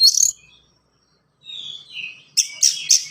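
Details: Oriental magpie-robin with fast gacor song and distinctive fill, meant to get other magpie-robins singing; a harsh high burst, a pause, soft wavering whistles, then three loud rasping notes.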